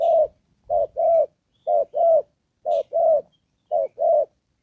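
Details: Decoy spotted dove used for trapping, giving 'đồng pha' style coos with 'rước' and 'kèm': three clear pairs of a clipped note followed by a longer throaty coo, well spaced in quiet surroundings.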